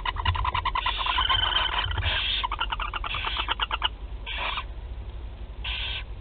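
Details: First feeding of young barn owls at Théding on 8 July 2020: dense stuttering, chattering rasps pour out for about four seconds, then two separate short hissing bursts follow over a low background rumble.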